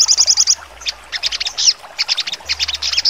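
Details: Sogon in sharp full song: a quick burst of bright repeated high notes followed by a jumble of sharp, varied chips and short downslurred whistles.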